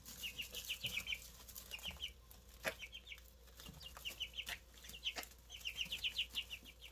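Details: Freshly hatched Easter Egger chicks calling in fast trains of thin high peeps, groups of three to six notes repeating through the recording, with occasional knocks and rustling.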